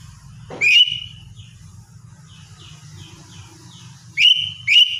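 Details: Morning song of a lesser green leafbird: one bright rising whistle that levels into a held tone, soft twittering notes in between, then two more quick whistles near the end, with a low hum underneath.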